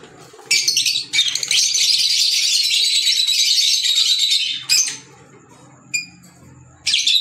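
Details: Green Fischer's lovebirds producing about three and a half seconds of continuous, strident high chatter, followed by a few isolated sharp squeaks.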